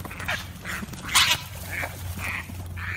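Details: Mother duck guarding her ducklings in a fountain against an intruding heron, uttering a quick series of short raspy quacks, one louder and harsher, over a low background hum.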